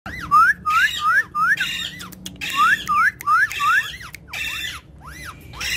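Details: Talking parrots of one family, playing and speaking in Urdu and Hindi; clear rising whistled notes repeated about every half second in quick runs, with harsher layered squawks between them.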